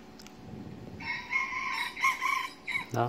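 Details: An 8-month-old decoy red junglefowl rooster, about 800 g, in training and taken to the forest four times, still timid, gives a short, hoarse crow, drawn-out notes rising then breaking off, a man murmuring nearby.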